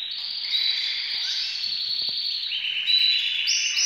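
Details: Several canaries, all said to be ready for breeding, sing together in a dense, high, unbroken chorus of rolling trills and bright sustained warbles, with rapid chirps overlapping throughout.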